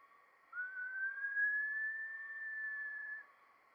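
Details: A Green-backed kingfisher, a Sulawesi endemic, gives one long, pure whistle of nearly three seconds, sliding up at the start, then holding a steady, slightly rising pitch before stopping abruptly.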